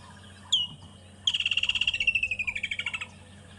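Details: Woodland Kingfisher on an evening safari drive in Africa: a single sharp, high note, then a long, rapid trill of about twenty ringing notes slowly dropping in pitch, with a faint low hum underneath.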